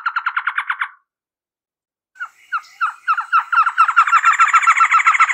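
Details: A trogon gives a quick run of repeated notes, then falls silent, then makes scattered, uneven notes that build into a fast, buzzy chatter with a high thin whine.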